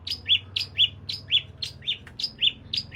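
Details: Toed priyangan calls used as a lure to get a bird singing actively: paired high notes, a sharp upper stroke followed by a lower clipped chip, the pair repeated steadily about every half second over a faint low hum.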